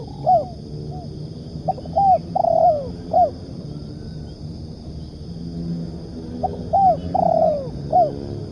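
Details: Spotted dove (tekukur) used as a lure, "ngukuk" cooing: two phrases about four seconds apart. Each has quick short notes, a drawn-out downslurred coo and a closing arched coo.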